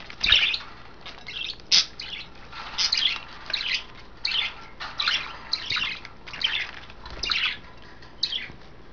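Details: Five pet budgerigars in a cage, three females bathing: loud scratchy squawks repeated in short bursts roughly every second, each separated by quieter chatter, with a few sharp clicks between calls.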